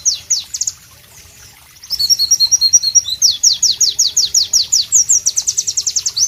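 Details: Loud, melodious white-eye (pleci) singing amid tropical ambience. A few high slurred notes give way to a short pause, then a fast twitter and long strings of sharp, descending whistles repeated in quick rhythm over a low background hum.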